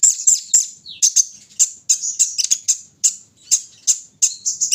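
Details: Kolibri ninja sunbird in the morning dew session, giving repeated sharp, very high chips and brief buzzy phrases roughly every half second, with a short descending whistle early on.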